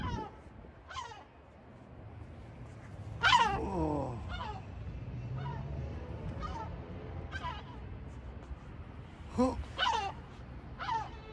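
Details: Sea gulls at Batumi calling irregularly: short, strained, falling cries scattered through the stretch, one longer drawn-out descending wail near the middle, with low steady background hum.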